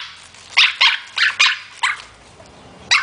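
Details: Pet parrot playing with a plastic bag, giving a bark-like imitation: six short, harsh, dog-like barks in quick succession, mostly in a high register, with a small pause before the last one.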